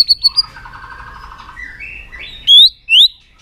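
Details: White-rumped shama, a bird trained to sing many voices, giving a quiet run of low warbled notes followed by two loud clear whistles sliding upward.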